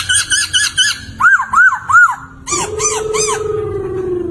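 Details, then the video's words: Laughingthrush (poksay) song offered for training songbirds: short wavy whistles in a rapid series, arched downslurred notes about three per second, then more arching notes over a long, slowly falling low hooting tone. "Suara Merdu Burung Poksay Gacor || Masteran Ampuh untuk Semua Jenis Burung Kicau!"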